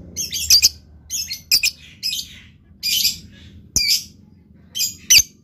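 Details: Lovebird producing harsh, high-pitched chattering phrases, each a short burst of scratchy squeaks separated by brief gaps, with soft rumbling noise underneath.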